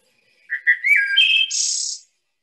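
A Wood Thrush sings one flute-like phrase: a few clear low notes, a rising slurred whistle, then a shimmering high trill to finish.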